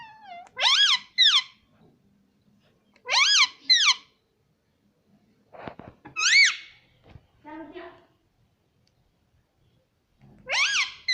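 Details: Parrot voice in repeated short bursts: paired, arching, squeaky syllables recurring every two to three seconds with quiet gaps and a few soft rustles between them.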